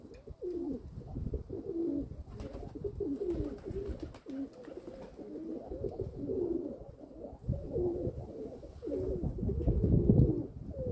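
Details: Several domestic pigeons give deep, throaty coos that rise and fall, repeated in quick bursts, with low thumping and rustling underneath.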